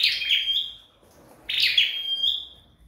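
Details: Home-trained flowerpecker singing two high, buzzy phrases that each slur downward into a drawn-out thin whistle, separated by a pause of about half a second.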